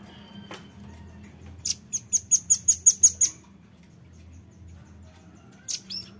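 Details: Lure call of a velvet-fronted nuthatch: one quick run of about eight shrill, evenly spaced high chips lasting a second and a half, with a couple of single high notes later and a soft low hum underneath.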